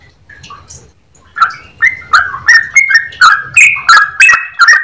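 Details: Yellow-vented bulbul singing in a clear-voiced, chattering style with long rolls: after a few soft notes, loud bubbly whistled phrases repeat roughly every half second, each a sharp click followed by a fluty note.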